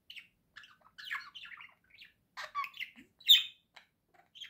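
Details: Domestic budgerigar chattering continuously in quick, scratchy, warbling phrases of high squeaks and chirps, ending on one sharper, louder note.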